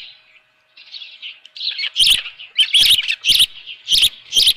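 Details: Osprey at a ranch nest, 7:32 AM on 24 June 2018, fish still alive: soft thin whistles at first, then louder chirp bursts about every half second with crisp knocking sounds.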